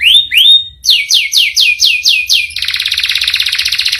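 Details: Canary singing a rolling song: two rising whistled slurs, a run of descending sweeping notes, then a fast rattling high trill repeated roughly ten times per second.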